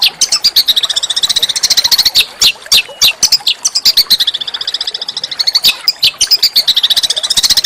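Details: Harsh, melodious master song of a small songbird for training shamas and magpie-robins: a near-continuous stream of rapid high chips and short trills, sustained for several seconds with little pause.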